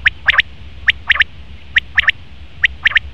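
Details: Male common quail calling: crisp triple-note phrases, quick and high, each group of three clicks repeated roughly every 0.8 seconds against a quiet background.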